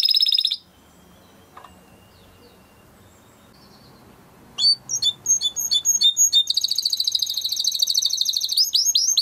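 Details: Timbrado canary training song: a brief rolling burst, a long quiet pause with faint notes, then sharp clicking notes building into fast, continuous high trills and rolls.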